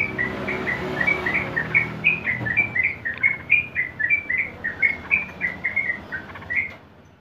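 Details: Sooty-headed bulbul (trucukan) in long-duration ngeropel style, used as a lure and master for training birds: a steady run of short, clear whistled notes, alternately rising and falling, about three per second, over low background rumble.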